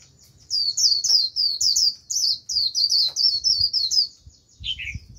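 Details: Japanese white-eye lure bird singing to bring in a wild flock: a sustained run of rapid, high, sharp chirps, roughly four per second for several seconds, closing with a lower slurred note.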